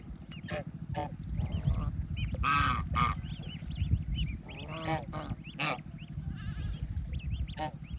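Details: Ducklings and adult ducks on a rural farm, swimming and feeding in water: busy overlapping high peeps with several loud nasal quacks scattered through, against a strong low droning background.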